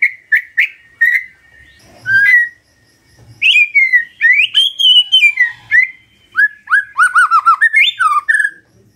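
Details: Morning magpie-robin song meant to prompt silent birds to reply, with clear rising and falling whistles, short pauses, and a fast burst of downward-slurred notes near the end.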